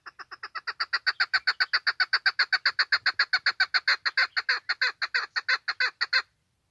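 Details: Chukar hen's call for hunting: a long train of clucking chuk notes, around four a second, swelling from soft to loud and keeping a fairly even beat for six seconds before cutting off.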